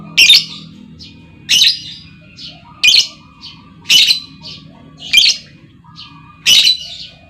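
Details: A female lovebird used as a lure, with others replying: six strident, scratchy shrieks repeated roughly every 1.3 seconds, each followed by quieter short chips.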